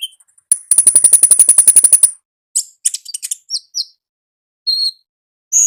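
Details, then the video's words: Wild-recorded olive-backed sunbird, lively gacor ngalas singing: a fast, even trill of high ticks lasting about a second and a half, then scattered sharp chirps and a few short whistled notes. "AUDIO KONIN GACOR NGALAS Suara Asli Alam Liar"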